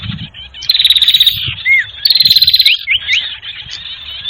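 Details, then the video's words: Sirtu bird call played as a trapping lure: two sharp, rattling high trills, each under a second long, followed by short curving whistled slurs. "Suara PIKAT burung Sirtu anti gagal"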